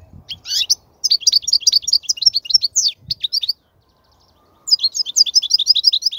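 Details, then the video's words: European goldfinch in song, meant for training young goldfinches: long chattering phrases of rapid high tinkling notes, a brief gap, then another bright twittering run. "افضل نصف ساعة تغريد الحسون , لتسميع الفراخ"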